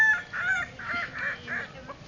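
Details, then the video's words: Kukuak Balenggek rooster crowing at a ground-staked crowing contest in Solok city: a short series of buzzy, rich syllables in quick succession against background murmur. "perlombaan ayam kukuak balenggek dipancang tanah"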